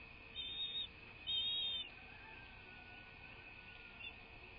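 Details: American bald eagle at its nest, heard on a live nest camera on 1 March 2024 at 06:39; two thin, high whistled notes, the second louder and longer, over a steady electronic hiss.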